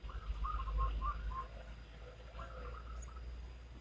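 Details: Local wild zebra dove cooing in the Salendro rhythm style: two bursts of quick, soft, staccato notes, the first longer, then a slower trailing phrase, over a steady deep low-frequency rumble.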